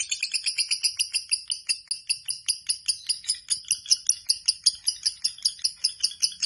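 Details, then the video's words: Lovebird giving its long ngekek chatter: a fast, steady stream of sharp, high, buzzy pulses, about six each second, running unbroken through the whole stretch. "Lovebird BIOLA ngekek panjang SIANG MALAM"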